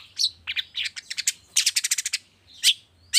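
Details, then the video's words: Morning lure song of a long-tailed shrike, meant to get silent birds singing: rough chirps, then a quick burst of about eight crisp ticking notes, followed by two isolated sharp calls. "suara pancingan cendet cendet di pagi hari YANG BIKIN CENDET MACET sekalipun IKUTAN BUNYI toet toet"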